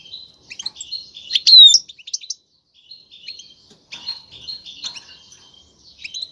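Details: Caged male European goldfinch delivering courtship song to push a female to breed: thin twittering phrases broken by a loud ringing flourish, short pauses, then renewed high chatter.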